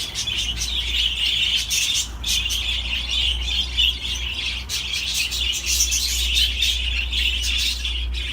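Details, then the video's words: Budgerigars warbling nonstop: a steady stream of chirruping, squeaky chatter with brief clicks and hardly any pauses, backed by a low constant hum. "تغريد طيور الحب االبادجي"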